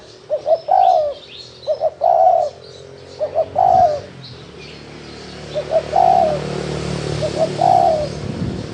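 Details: Spotted dove in 'thổ đồng' style: four phrases of two or three brief hollow notes ending in a longer falling coo, about every 1.5 seconds, with a steady low background rumble in the later half.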